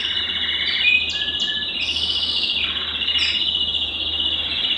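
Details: Belgian canary singing to stimulate males and bring females into breeding condition; a continuous high rolling, trilled song with steady buzzy warbles, brief sharp whistled notes and upward flicks, and a faint low hum underneath.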